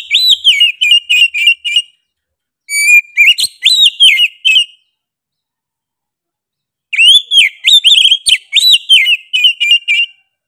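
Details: Oriental magpie-robin singing insistently and sharply. Three bursts of rapid whistled notes, roughly three per second, each note swooping up and down, separated by silent pauses of a second or more.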